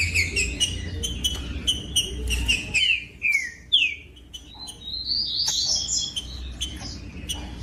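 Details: Song of a green-winged saltator, aimed at stimulating captive birds: repeated clear whistled notes, then several loud downslurred whistles, followed by a high twittering run, with low hum early on.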